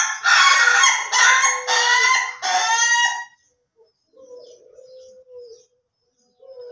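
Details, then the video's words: Crowing Ayam Ketawa rooster, slow versus durasi styles compared: four loud, rough, laugh-like syllables in quick succession, then quiet with faint thin tones in the background. "AYAM KETAWA SLOW VS AYAM KETAWA DURASI"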